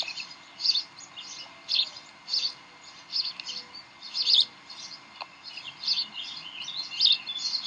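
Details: Bald eagles at their Decorah nest on 18 May 2012, evening, while playing and tugging: thin, high peeping notes in short clusters, repeated roughly twice a second over a low background hum.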